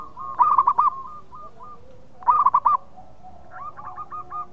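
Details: Zebra dove song meant to draw birds in breeding mood: two bursts of quick, bubbling coos ending in a longer held note, with softer answering coos in the background.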